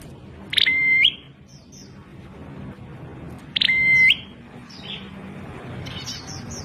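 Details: Prinia's odd call, heard twice about three seconds apart: a short burst, then a steady thin whistle rising at the end. Faint high chirps of other birds follow.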